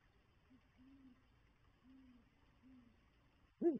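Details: Female great horned owl on her nest with two eggs, 7 February 2022, replying with a soft, deep hooting series, a short hoot and then three longer ones, to her mate calling her to share his meal; a sudden loud bark cuts in at the end.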